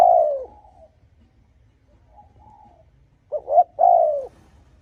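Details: Spotted dove coo meant to stir up and draw in rival males: a falling drawn-out note at the start, a soft quiet note, then a full phrase of two short hoots and a long descending coo.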